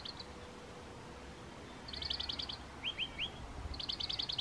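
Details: Wren singing in a garden on 23 May 2022: three short bursts of rapid, high, ticking trilled notes, separated by pauses, over a soft low background rumble.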